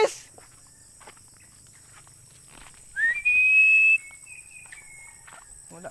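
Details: A single Philippine eagle call: a sharp rising slur into a long, high whistle that drifts slightly downward and fades after about a second, with soft knocks and rustles around it.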